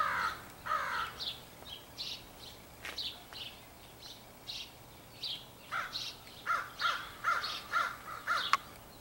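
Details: Crows of a large group, possibly picking mates, 4 April 2015; a few harsh calls at first, then a rapid run of short, clipped caw notes about every half second.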